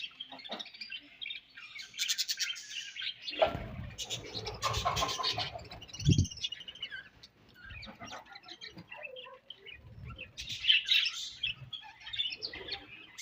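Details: Budgerigars chatter during breeding season with busy, scratchy chirps and warbles, mostly high-pitched and continuous.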